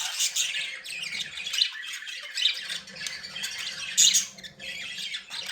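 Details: Happy, playing budgerigars giving continuous loud, harsh squawking chatter, dense high scratchy notes overlapping with bright sharp peaks, a low hum beneath, in an indoor setting.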